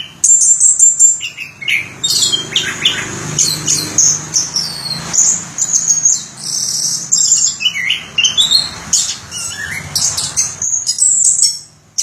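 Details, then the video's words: Orange-headed thrush song: a dense, nearly continuous stream of high chirps, trills and thin whistles with a few lower slurred notes, over a steady low background hum. "Suara Burung Anis Kembang Durasian"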